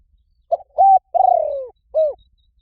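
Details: A single spotted dove phrase used to draw in wild doves: a soft stutter, a steady mellow coo, a long rough falling coo, then a short rising-falling note.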